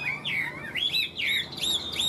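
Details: Tame caged Chinese hwamei offered for sale, singing strongly: loud, clear slurred whistles that swoop down and then rise again, several phrases in quick succession over a faint low room hum.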